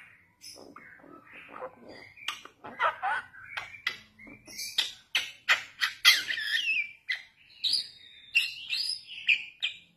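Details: Young Bali mynas singing a lure song: a jumble of harsh broadband clicks and chattering notes mixed with short whistled phrases near the upper range, ending in a run of rising and falling whistles.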